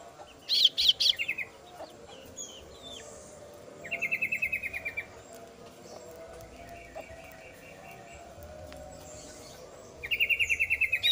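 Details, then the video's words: Female kasu-kasu bird chick calling its parent: an opening burst of three high chirps, then several lower, evenly pulsed buzzy trills lasting about a second each, spaced a few seconds apart. "suara anakan burung kasu kasu betina memangil induk nya"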